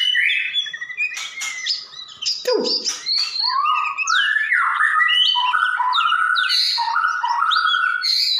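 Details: White-rumped shama singing energetically (gacor): dense stream of varied whistled phrases, slurs and scratchy notes, rising and falling rapidly with hardly a break, one low-pitched swoop midway.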